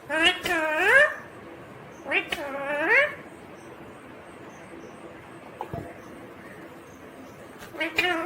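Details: Talking green ringneck parrot giving loud, harmonic, speech-like whining calls that rise and bend. Two clear bursts are followed by a quieter stretch and another call at the end, over steady background hiss.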